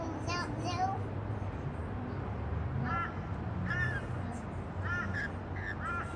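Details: On a patio, rainbow lorikeets feeding on white bread give grating, screechy squawks in short clusters about a second apart, over steady low background noise.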